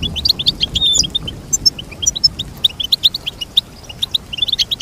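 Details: Goldfinch singing a lively run of fast, high, clipped chirps, with a few thin whistled notes, continuing evenly throughout.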